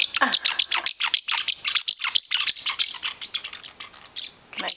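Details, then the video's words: A territorial pet parrotlet gets angry when its owner touches its blanket, giving rapid, harsh, high-pitched chirps and squeaks, about three or four a second, scolding steadily, while a person speaks briefly. "Baloo the Parrotlet gets angry"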